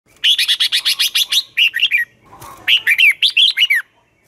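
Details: Red-whiskered bulbul giving its morning competition song in the twisting voice style used to train newly caught birds: a rapid run of about eleven bright, even chirped notes, then looping warbled phrases, a short pause and more slurred whistles.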